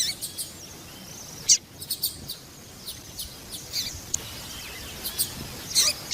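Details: Female papa-capim seedeater giving calls meant to excite males into song; soft, thin, high chirps scattered through, with a couple of louder sharp notes, against steady low noise.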